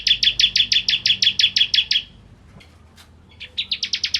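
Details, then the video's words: Captive ciblek kristal singing in a lively, energetic way, used as a tutor recording for magpie-robins: a fast run of about eleven sharp, high chirps over two seconds, a short pause, then the rapid chirp series starting again. "Masteran Ciblek Kristal Gacor"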